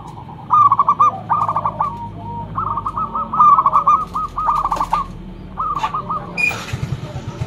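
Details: Local zebra dove singing loudly as a lure bird: quick series of soft, bubbling coo notes grouped into short phrases separated by brief pauses, over steady low hum with a few clicks and a burst of noise at the close.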